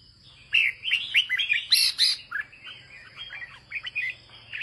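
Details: Red-whiskered bulbul kept by a farmer, singing in the northern 'ché' style: a rapid burst of bright, warbled whistles and chirps, fast and irregular, with a steady high electronic whine throughout.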